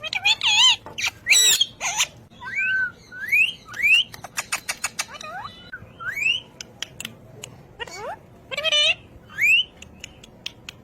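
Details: Ring-necked parakeet mimicking speech, mixing loud harmonic voice-like syllables with a rapid series of clicks and several upward-sweeping whistles, each separated by short gaps.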